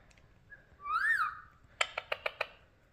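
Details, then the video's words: Alexandrine parakeet talking: one loud harmonic syllable that rises and falls around the one-second mark, then a quick run of five sharp clicks. The background is otherwise quiet. "Alexandrine Parrot Talking"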